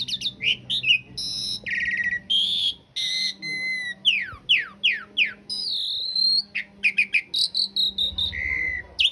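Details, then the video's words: Master song of an Asian pied starling for training caged birds, coarse filling with long roll: varied loud phrases mixing harsh rasps, pure whistles and fast downslurred notes, with a faint low hum beneath. "Suara masteran jalak suren isian kasar roll panjang"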